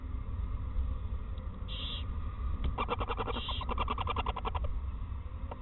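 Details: Owl at a nest in Eersel in 2018, the mother feeding soft parts of a mouse to the first chick on its first day, giving the typical sound of mother and young: a rapid rattling series of pulsed notes with brief hissy bursts over low hum.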